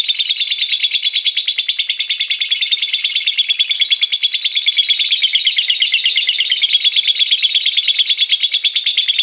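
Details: Lovebird singing ngekek, a lure recording to make other lovebirds sing: a long, dense, rasping high chatter of fast repeated notes, unbroken for over nine seconds.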